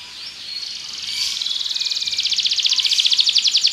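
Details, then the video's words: Belgian canary song starting with soft whistles and building into a steady, fast, high-pitched rolling trill that continues to the end. "Canário Belga cantando"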